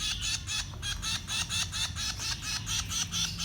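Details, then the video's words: Young birds begging while being fed, giving rasping, noisy calls in a continuous rhythmic series of about two per second, each call a short harsh burst, over a low background hum. "Feeding baby birds 2020 - Bird Feeding Babies"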